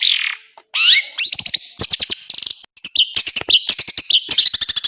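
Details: Long-tailed shrike training song packed with varied phrases: a scratchy opening, rising and falling whistles, then quick clusters of clipped high chirps and short trills.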